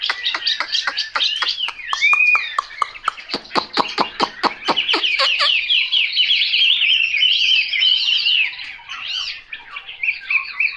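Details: ['Chinese hwamei singing: a quick run of sharp downward-swept notes, about a dozen in a row, gives way to a loud, continuous, richly varied warble of whistled and trilled phrases.']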